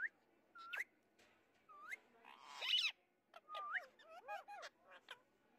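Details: A white ringneck parrot (rose-ringed parakeet) gives a run of short whistled notes, some rising and some swooping down, plus one harsh, raspy screech near the middle.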